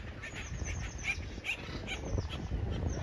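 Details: Woodpeckers in a park drilling holes in a tree and storing acorns, recorded on an iPhone; short calls repeat about two to three times a second, with people's voices and a low rumble behind.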